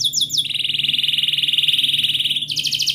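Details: Canary song played as a lure to prompt a stuck, silent canary or a young learning canary to sing: fast high trills at the start, then a long steady buzzy roll, ending in a bright rapid trill.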